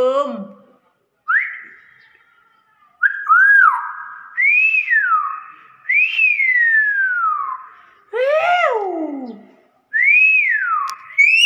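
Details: Common hill myna talking in a string of repeated whistled phrases, each rising sharply then sliding down, about six in a row with brief pauses and a few harsher notes mixed in.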